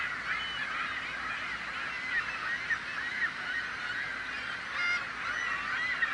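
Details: Noisy seagulls, a thick chorus of overlapping squealing and yelping cries, with individual sharp calls popping out every second or so and a brief higher squeal near the end.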